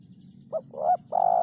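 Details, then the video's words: Spotted dove coo in the three-part 'kuk 3' style: a short note, a swelling second note and a sustained third coo, over a steady low background hum. "suara burung terkukur kuk 3 bersih"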